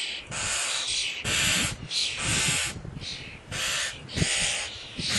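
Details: Common starling chicks begging at feeding time: loud, continuous harsh wheezy rasping in long overlapping bursts, broadband and noisy, rising and falling in intensity with brief gaps, plus some low rustling.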